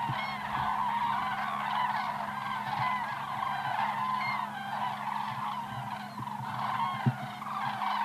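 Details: A calling flock of flying cranes, 2014: many overlapping bugling notes, some rising and some falling, sounding steadily throughout, with a steady low hum and a single sharp knock.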